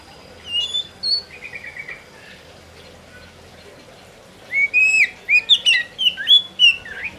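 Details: Oriental magpie-robin singing: a few soft whistles and a brief trill, a pause, then a loud run of rapid varied whistled phrases, rising and falling slurs tumbling together.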